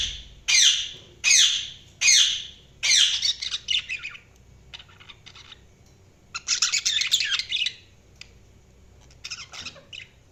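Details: Budgies chirping: four loud, scratchy high chirps about every 0.8 seconds, then softer rapid twittering, a longer burst of warbling chatter, and a few last short notes.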